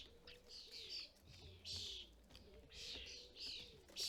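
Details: Starling adults and fledglings at a custom-built UK feeder: rasping, buzzy calls in quick bursts, accompanied by a continuous low cooing from a pigeon or dove.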